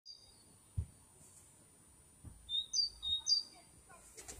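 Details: Bird singing in May 2021: after a quiet start, a short series of thin, high whistled notes, some sliding downward, delivered in a quick uneven cluster, with faint background noise and a soft knock.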